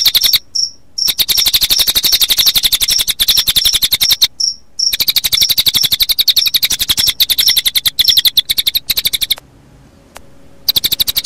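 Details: Cililin song blended with crickets, recommended for playing to birds toward evening: steady run of sharp high whistled notes, about four a second, riding on a continuous rapid cricket trill, interrupted by a few short pauses.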